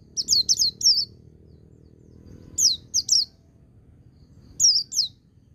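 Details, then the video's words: White-eye song in ngecir sambung ngalas style for training birds: three quick high descending whistles, a gap, two more, and a final pair, clean against a soft low background rumble. "Suara Burung Pleci Ngecir Sambung Ngalas"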